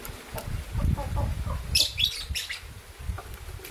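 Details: Green violin lovebird couple calling in the morning with a quick run of shrill, scratchy chirps, mixed with soft low knocking and rustle.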